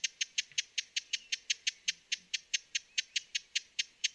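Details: Broad-billed hummingbird, western North America: a rapid, evenly spaced series of hard, clicky chips, roughly four each second, on a quiet background.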